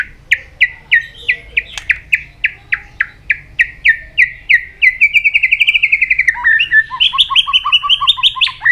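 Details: White-rumped shama training song meant to spur fast, intense, many-voiced singing: evenly spaced whistled notes about three per second, speeding into a rapid trill, then quick alternating high and low notes.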